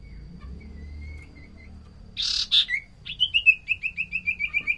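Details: Common iora singing energetically, used as a lure sound: a faint thin whistle, a rough buzzy burst, then a long run of about a dozen quick, ringing whistled notes repeated at a steady pace.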